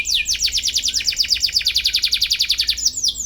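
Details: Canary song meant to challenge a rival and teach young canaries: an even series of quick down-slurred chirps, roughly eight per second, steady throughout.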